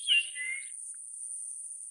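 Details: Japanese grosbeak giving one brief whistled phrase of sliding, falling notes that fade within a second, over a steady high-pitched insect-like drone.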